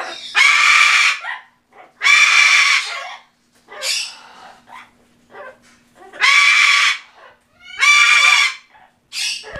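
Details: A pet sulphur-crested cockatoo, recorded in November 2015, repeats a loud, harsh, raspy two-word phrase, "back off", about every two seconds, with softer grating bits between.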